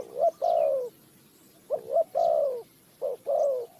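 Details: Spotted dove, bird-trapping setting in Ninh Thuận, Vietnam, giving soft coos: three phrases of a brief note and a sustained falling coo, roughly one every second and a quarter, quiet background.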